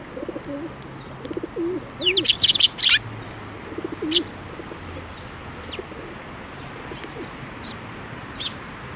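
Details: Sparrows at a Tenmangu shrine in Japan on 7 May 2024, flying onto a hand to be fed: a burst of sharp high chirps around the middle, scattered single chirps after, with low dove-like cooing and rustling in the background.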